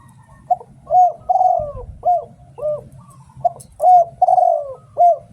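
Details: Spotted dove from Thailand giving decoy 'tor' cooing used to lure other doves: mellow hooting coos, a short note, a long drawn descending coo, then quick looped hoots, repeated twice over a low steady hum.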